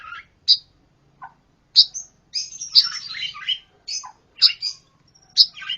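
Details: Pancawarna giving a chattering song of high chirps and buzzy trilled phrases, loosely spaced, some notes dipping lower, over a faint low background hum.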